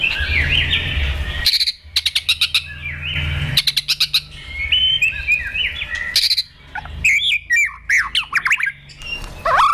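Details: White-rumped shama being trained and provoked to sing a fighting song, tail-flicking on its perch; high whistled and warbled phrases broken by bursts of sharp clicking noise and a low hum underneath.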